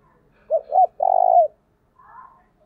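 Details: Spotted dove luring call at early morning, 'thổ đồng' voice: two quick mellow notes leading into one sustained, finely pulsed low coo, then a faint short chirp from another bird.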